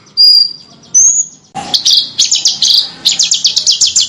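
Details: Small bird song on a master track for contest birds: two thin sustained high whistles, then a sudden loud burst and a string of sharp descending chips, accelerating toward the end.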